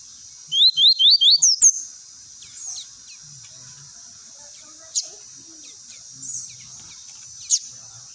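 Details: Lined seedeater singing the tui-tui song meant for tutoring young birds: a burst of about seven clear upslurred whistles in quick succession, followed by quiet gaps with occasional high clicks and faint low murmurs.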